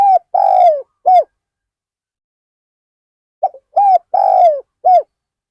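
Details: Decoy spotted dove at Ban Nong Hin, set out to attract wild birds, repeating a three-part coo phrase twice: brief note, drawn-out purring coo, sharp ending coo, with silence between phrases.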